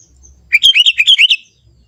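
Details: Lively young sooty-headed bulbul of the forest, pure natural voice: one rapid chattering run of about eight liquid, up-and-down whistled notes, then quiet.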